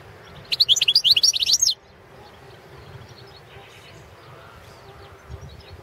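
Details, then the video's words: Balkan European goldfinch (Carduelis carduelis balcanica) competition recording for the 2017 World Championship in Goldfinch Song, held over the internet under Serbian rules: one rapid burst of bright, high twittering trills lasting about a second, followed by near silence. "World championship in Goldfinch Song"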